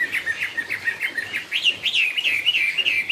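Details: Brisk song from a Chinese hwamei ('họa mi cao cầu'): quick bouncing whistled notes repeated several times a second, rising into wavy, rolling phrases, loud and continuous.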